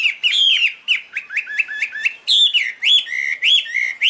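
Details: Chinese hwamei song of rich whistled notes, some rising and some falling, given in quick succession with a bouncy, irregular rhythm.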